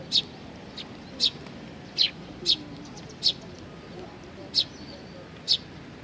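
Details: Young sparrows at food, Tenmangu, Nakanoshima, on 25 May 2020: evenly spaced single high, sharp chirps, about eight in six seconds, over faint low ambient noise.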